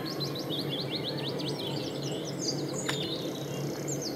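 A Common Linnet gives a quick, high twittering run of short rising and falling notes over a steady low rumble, with one sharp click midway.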